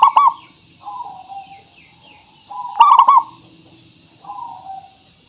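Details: Zebra dove of local stock, recorded as a lure sound to start other doves singing. Two bright, trilled coo bursts separated by quieter, smoother descending coos.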